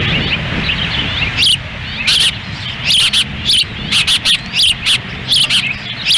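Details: Osprey female feeding chicks at a Lolo, Montana nest on windy June 10, 2017, male standing by; rapid bursts of piercing high chirps come in clustered series after a quieter start, wind hissing beneath.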